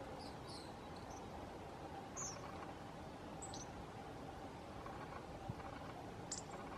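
Hawfinch giving a few faint, sharp, high ticking notes at irregular intervals over a steady background hiss.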